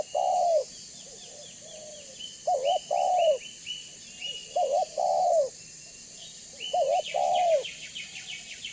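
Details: Lure call of a spotted dove for attracting other doves: repeated coos, each a brief wobbling note and a long downward-sliding one, some quieter coos between, and bursts of high twittering from other birds in the background.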